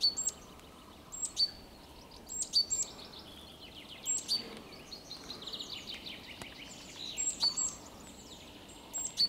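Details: Great tit on 3 April 2022: short series of clear, high two-note calls repeated a few times, separated by gaps, while a busy chorus of other small birds twitters beneath and a low steady rumble lingers.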